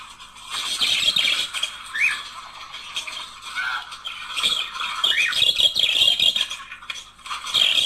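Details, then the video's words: Budgerigar couple singing to prompt mating, a steady stream of buzzy chatter, squeaks and short rising whistled notes, loud throughout with small dips in volume. "تحفيز# طائر البادجي على التغريد والغناء صوت يحفز البادجي على التزاوج"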